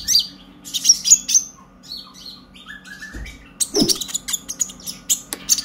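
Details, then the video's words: Purple-throated sunbird, a captive brown-breasted young bird just past the spotted stage and learning its song, used to spur other birds into singing: high thin chirps and sliding whistles, a pause, then a denser burst of sharp ticking notes. "Pancingan KONIN Bahan agar GACOR NGOBRA EMOSI - Purple Throated Sunbird"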